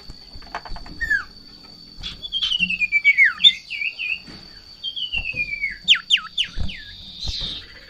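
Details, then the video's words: Over-excited golden-bellied gerygone in breeding condition reacting to a rival or female: clear high whistled trills falling in pitch, then sharp upslurred and downslurred notes. A steady high electronic whine and soft knocks are in the background. "Sirtu Ngamuk Narung !! Garuda Birahi Over"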